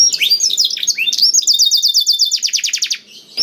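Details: Song of a Black-throated canary, used as tutoring material to get other canaries singing: varied twittering slurred notes building into a regular rapid trill of high notes that fades out.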